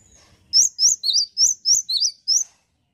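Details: Clear phrase of seven ringing high whistles, rising and dropping in pairs, sung by a male cinereous tit in an otherwise quiet setting.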